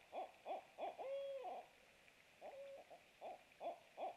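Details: Barred owl at a nest cam during a night food delivery at 23:49 on 27 March 2017: a run of short, mid-pitched hoots about three per second, with two longer, drawn-out wavering notes breaking the rhythm.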